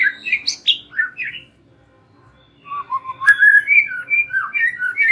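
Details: White-rumped shama song as a lure for young and wild-caught birds: a few bright, twisting whistles, a pause of over a second, then softer warbled and slurred phrases with one sharp high click.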